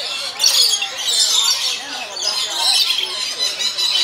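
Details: Lorikeet at San Diego Zoo Safari Park: a dense, continuous wash of high, harsh screechy chatter, likely several birds calling at once, swelling and fading in waves without pause.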